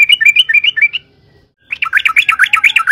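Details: Yellow-vented bulbul song used as a lure to make other bulbuls sing: a run of bubbly, warbling notes for about a second, a short pause, then a faster, louder burst of rolling, chattering phrases repeated rapidly.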